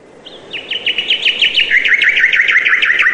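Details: Bird chirping in a fast run of short downslurred notes, about three per second, starting with a thin rising note and growing louder and lower through the series over a soft background hiss.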